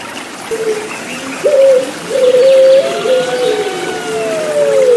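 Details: Turtle dove of the Puter Pelung type giving a short cooing phrase, then a long drawn note that slowly falls in pitch, with trickling water behind.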